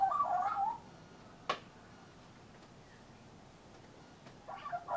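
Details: A young leucistic Australian magpie perched on a railing at lunchtime gives short bursts of mellow, warbling song at the start and end, with a single sharp click between them; it flew off after myna warning calls.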